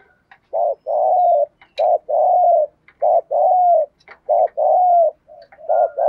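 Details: Spotted dove cooing as a lure for wild doves, in a rapid run of paired notes, a short coo then a longer one, about once a second, with light clicking sounds between.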